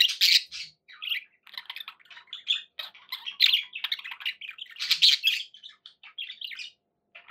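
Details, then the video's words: Budgies kept as pets give a rapid warbling chatter of harsh, buzzy notes and high chirps, several voices overlapping, with loud squawky bursts near the start and around the five-second mark. "11 hours of budgie sounds"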